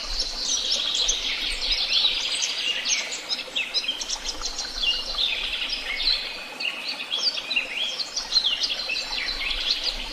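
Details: Dense chorus of birds in Tehidy Woobs, many voices trilling and twittering continuously, with rapid high chirps and short whistled slurs layered over one another and a faint low rumble.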